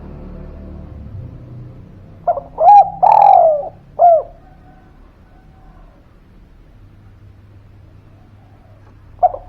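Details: Spotted dove lure call to get reluctant birds to reply: one bold phrase of hollow coos, a brief note, a long wavering coo and a closing short one, followed by quiet and a single coo at the end.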